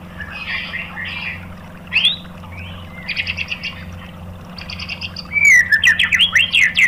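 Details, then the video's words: Lure song of a white-rumped shama, 'tembakan' style, aimed at stirring other shamas: scattered chirps and short trills early, then a loud run of looping whistled notes near the end. "SUARA MURAI BATU FULL TEMBAKAN ¦ PANCINGAN MURAI ¦ SHAMA BIRD"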